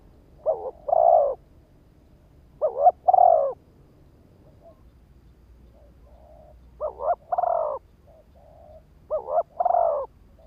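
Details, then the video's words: Spotted dove decoy bird calling to lure and provoke wild males: phrases of two quick stuttered coos followed by a longer drawn-out coo, with soft low coos between, three phrases separated by quiet gaps. "Tiếng chim cu gáy kích bổi"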